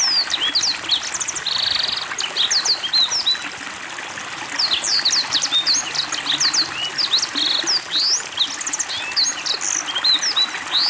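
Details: Black-throated Canary, a kept bird singing vigorously with water therapy: a fast, continuous high warble of sharp rising and falling whistled slurs, with short buzzy rattling trills at 1.5 and 7.5 seconds, over a steady trickling water background.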